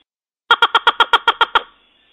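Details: Red-legged crake (Rallina fasciata) gives a quick run of nine loud, nasal, honking notes, about eight per second, ending abruptly with a brief echo.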